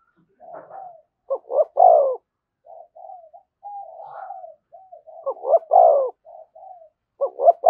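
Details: Spotted dove calling beside a decoy bird in the "thúc gù" manner. Loud stuttered coo phrases, each ending in a long falling note, alternate with strings of quiet, low, murmuring coos. A third phrase begins at the end.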